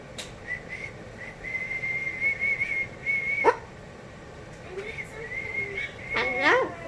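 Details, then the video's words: A pet cockatoo named Onni gives long, level, high whistles with slight wavers, a sharp swooping note and a harsh squawky burst; its owner taught this whistle and is trying to make it softer, and speaks faintly. "Taught Onni Cockatoo The Most Annoying Sound In The World"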